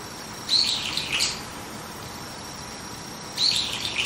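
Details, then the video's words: A brown-eared bulbul calling early in the morning from a tree branch gives two shrill, harsh calls about three seconds apart, each a loud squeal followed by rough chattering notes, over a faint steady hum. "ヒヨドリの早朝の鳴き声 Bulbul's Morning Cry"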